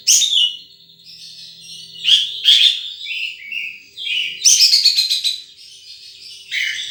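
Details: Wild sunbird giving sharp high chips and rapid twittering phrases, with loud buzzy bursts roughly every couple of seconds and brief downslurred notes between.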